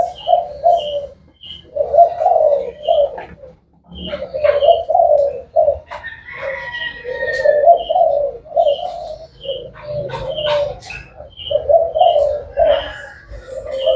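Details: Spotted dove, described as the 'thái hậu' type, cooing in low, hoarse phrases repeated throughout, with short high chirps from another bird at regular intervals and a few clicks and knocks.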